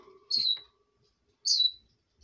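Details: Pet red lorikeet, female, in bedtime jabber: two loud, shrill, downslurred squeaks about a second apart, with a faint steady hum beneath.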